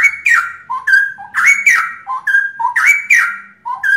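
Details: Loud song of three caged straw-headed bulbuls, a cherished Indonesian songbird often entered in contests: a liquid, slurred whistled phrase repeated roughly every second and a half, each ending in a bright rising flourish.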